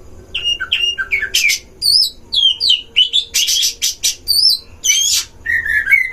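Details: Oriental magpie-robin song from a breeding-cage duel, used to rile other magpie-robins: clear whistled notes, sweeping slurred phrases and dense scratchy bursts in quick succession, with short gaps between phrases.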